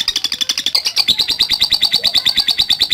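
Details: Lovebird ngetik chatter meant to provoke fighter lovebirds: a loud, shrill run of evenly repeated buzzy clicks, roughly seven a second, its pitch wavering slightly high and then settling.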